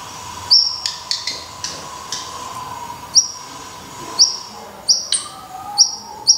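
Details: Sharp, high, downward-slurred call notes from a black redstart at a nest in Portugal, given singly at irregular intervals over a steady low hum.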